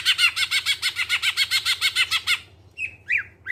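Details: Greater green leafbird song used as a lure so other birds start singing: a rapid even series of harsh rasping notes, about six per second for two seconds, followed by a few sharp upslurred whistles; low background hum.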